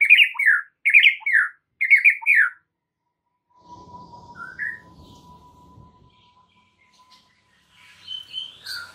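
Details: White-rumped shama in a masteran recording for getting other shamas to respond: three quick bursts of loud, rich whistled phrases, then a quiet stretch with a faint steady tone and a few soft calls.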